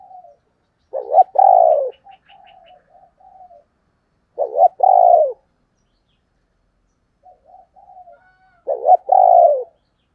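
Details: Lure call of a female spotted dove in the 'thổ đồng' voice: loud, rounded cooing phrases about every three and a half seconds, each preceded by soft quiet coos and a brief stutter.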